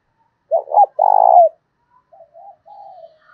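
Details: Decoy spotted dove urging another to fight, cooing in the 'thổ đồng' style. A forceful two-note opening runs into a long, purring coo, followed by a trailing series of softer, falling coo notes.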